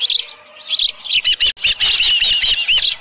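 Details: Osprey calling at the nest around 6:52 AM on July 24, 2018, with a headless fish: a few high piercing chirps, then a fast run of repeated sharp whistles over rustling thuds.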